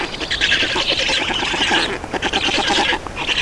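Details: At an Estonian Black Stork nest during adult change and feeding, 31 May 2019, late morning: rough, wheezy squawking in long, steady bursts broken by brief pauses.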